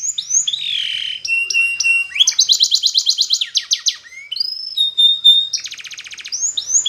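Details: Canary sings a training phrase: a wavering whistle, short level tones, a dense rapid trill, a clear held whistle and a buzzy pulsed roll, in near-silent surroundings.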